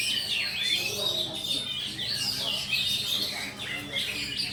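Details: A contest Oriental magpie-robin sings in Pulau Betung, Jambi, on 19 November 2023, taking second place. It gives an unbroken stream of bright, rapid, up-and-down whistled notes, with overlapping song from other birds, low hum and people chattering.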